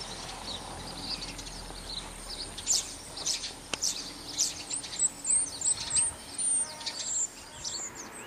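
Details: Common starling (Sturnus vulgaris) sings a rambling run of high whistles, clicks and squeaky notes in uneven bursts over a steady hiss. It is the starling that nests and roosts in the house roof by the picnic field, recorded on a fine day.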